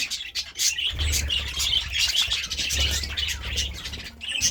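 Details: Budgerigar chirping at morning time, quick twittering notes and bright squeaks packed closely together, with a low hum in the background.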